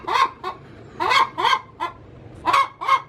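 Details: Short burst of a laying hen's cackle in her coop: a loud squawk, a softer note, then paired raspy calls after a pause.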